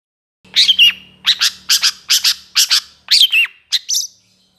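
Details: Cendet (Long-tailed Shrike) training song in trotol style: evenly spaced pairs of rasping high chips, with a few bending whistled notes near the start and end, over a faint low hum.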